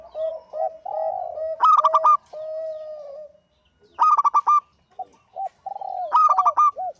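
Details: Local zebra dove in steady song: three quick ringing bursts of staccato notes, interleaved with long low coos and short clipped hoots, and one brief pause midway.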